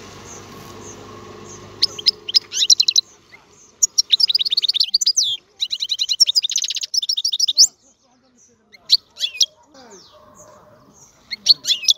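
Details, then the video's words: Goldfinch song: after a few seconds of low background noise, bursts of rapid, high, tinkling twitters and buzzy trills, separated by short pauses. "الحسون - هذا الطائر يغني. بأجمل صوت موجود في البرية"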